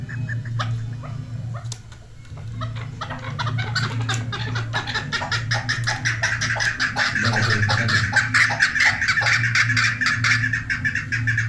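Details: Chukar partridge, possibly a hunter's decoy chakor or a female chakor, gives rapid repeated clucking chuck notes about two per second, building in intensity, over a steady low hum.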